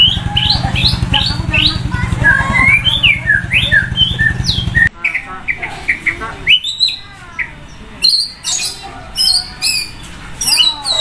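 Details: White-rumped shama sunning by a main road, its very loud song full of varied phrases: quick slurred whistles and rapid note series, first over a low pulsing rumble, then in quieter surroundings.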